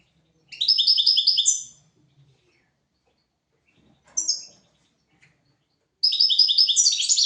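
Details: European goldfinch song for teaching goldfinches and canaries: a rapid tinkling phrase of repeated high notes, a brief short note burst near the middle, then another fast phrase beginning, with near silence between.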